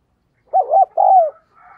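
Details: Decoy spotted dove coo in the prodding and calling style meant to lure wild birds: a wavering two-part note, then a long smooth coo falling in pitch, with a faint call trailing after.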